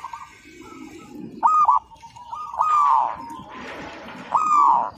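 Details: Local Zebra dove in active song for use as a training master: rolling coo phrases, some loud and sustained, over a busy noisy background with rustles.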